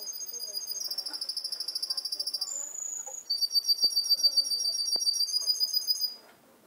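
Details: Young male canary aged seven months, Garni, Armenia, recorded 2 October 2014, sings buzzy rolling trills in two phrases separated by a short whistle, pulses repeated several times a second, with faint indoor clicks behind.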